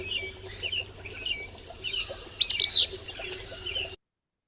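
A Willow Flycatcher gives one hoarse, sneezy two-part fitz-bew, with faint high chirps from other birds repeating softly throughout.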